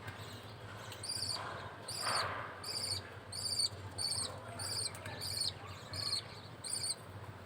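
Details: Budgie chick at feeding time with the male parent: regular bursts of thin, buzzy high calls, roughly one and a half per second, with a softer lower rustle mixed in.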